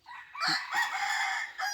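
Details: Decoy rooster crowing loudly, recorded 2023-2024: one long sustained crow that swells and holds steady for over a second before breaking off, and another crow begins at the end.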